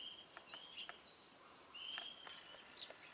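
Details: Mid-April morning birdsong with two bursts of stacked harmonic notes and a few soft clicks between them.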